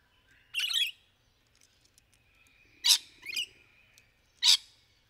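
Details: Rainbow lorikeets in trees during courtship: three harsh, broadband screeches at uneven gaps, the middle one doubled, over a faint steady tone.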